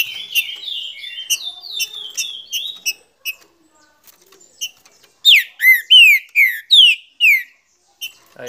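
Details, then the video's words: Green-winged saltator singing clear, loud whistled phrases: a run of rising and falling notes, then about seven strong slurred whistles in quick succession, a song used to set other saltators singing. "TODO TRINCA FERRO CANTA COM ESSE TRINCA"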